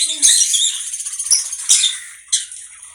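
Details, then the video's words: Conure giving harsh, screechy squawks and squeaks in short bursts, high-pitched and noisy, with brief gaps between calls and one louder burst near the end. "Conure bird"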